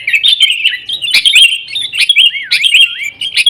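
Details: Sooty-headed bulbul singing actively, played to caged birds to make them sing: fluid whistled phrases with clear falling-then-rising swoops among quick sharp chirps.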